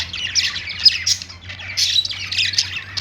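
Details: Budgerigars singing on a perch: rough, buzzy squawking chatter flowing almost without break, over a steady low hum.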